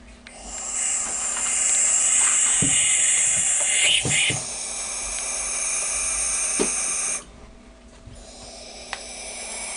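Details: Young barn owl chicks, the first of 2012, give a harsh, breathy hiss running unbroken for about seven seconds, then a few soft knocks and quiet; one chick had a broken leg after its nest box fell.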